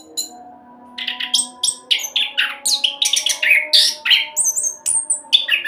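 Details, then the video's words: Rolling speed song of an orange-headed thrush used to make other birds sing: after a brief quiet start, a busy stream of chirps, warbles and high whistled notes, roughly three per second. "Anis Kembang Roll Cocok buat Pancingan agar cepat bunyi"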